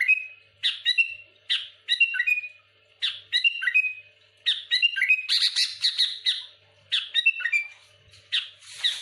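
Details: Sooty-headed bulbul pressing rivals with rapid song: repeated clusters of fluty, down-slurred whistles alternating with harsh scratchy chatter, phrases coming roughly every second with a longer buzzing tangle midway.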